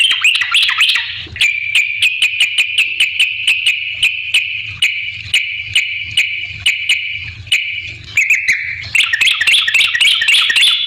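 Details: Energetic yellow-vented bulbul song serving as a lure for other bulbuls: a long sustained warbling stream punctuated by regular sharp ticks, becoming more jumbled and busy toward the end.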